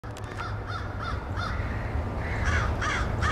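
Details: Crows at a night roost, where thousands gather on some nights: a series of hoarse, nasal caws repeated about three times a second, several birds calling together, over steady low rumbling background noise.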